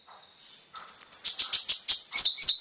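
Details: Konin lure song for captive birds: soft thin notes, then a run of loud slurred whistles in quick succession, closing with a warbling high phrase.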